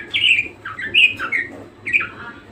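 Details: Budgerigar singing energetically: a few drawn-out squeaky chirps and chattering notes with short gaps between, over a steady low hum.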